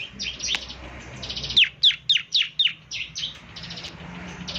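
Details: Bar-winged prinia in energetic song, meant for morning playback so other prinias answer: rapid high buzzy trills, then five loud sharply descending chirps at even intervals, followed by more buzzy trilled phrases.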